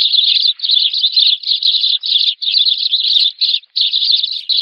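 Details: Lure call of a sparrow summoning its flock for trapping: a near-continuous, buzzy, high chatter broken by brief pauses every half second to one second.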